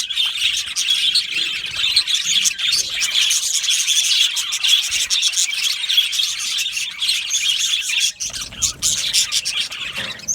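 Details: Colony of budgies in an aviary, continuous busy high-pitched chatter and chirps from many birds, with a faint rubbing noise near the end.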